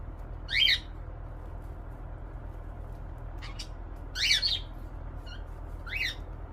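A cockatiel gives three shrill, squawky calls, spaced a second or more apart, over a low steady hum.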